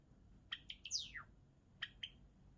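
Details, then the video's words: Pet Java sparrow song: a quick run of sharp clicking notes leading into a bright whistle that swoops down, followed by two more isolated chip notes after a pause, with no other sounds. "文鳥のさえずり Java sparrow"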